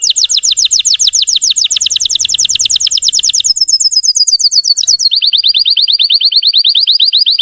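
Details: Russian canary song to excite untrained canaries: a long series of quick falling whistles, a short gliding note, then another rapid run of repeated sweeps.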